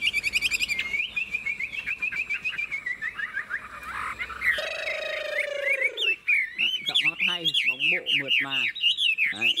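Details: Caged Chinese hwamei with a long forest-type song: a thin wavering whistle, then a harsh, buzzy harmonic burst, followed by rapid, rasping, down-slurred notes repeated several times a second.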